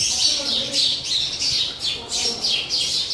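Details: Sparrows fighting each other over a new nest box, giving sharp, high chirps repeated rapidly, about three per second, in an uneven burst.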